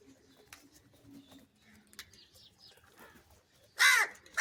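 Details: Crow calling for food while being fed different foods, including cheese: one loud, harsh, harmonic caw near the end, with another beginning as the recording stops. Faint rustling and soft background noises come before it.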